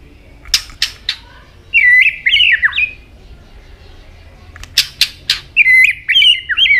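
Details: White-rumped shama with varied, shifting song and constant tail-flicking; a few sharp clicks, then a fast burst of warbled, wavering whistles, a pause, more clicks and another quick warbling phrase.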